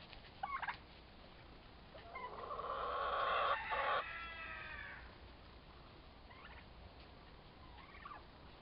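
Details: Fighting young turkey toms, two birds around four months old; a single long, loud, harsh harmonic call swells and fades over about three seconds, framed by a few short faint notes before and after.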